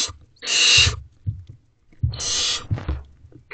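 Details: Barn owls in a nest box at 3:27 am on 12 May 2023, as the male brings food and the owlets rush to be first in line: two long, harsh, breathy hisses with soft thumps and scuffling between them.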